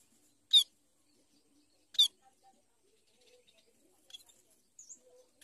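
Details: A Society finch from a family group gives two sharp, high, buzzy chips about one and a half seconds apart, followed by a few faint softer chirps.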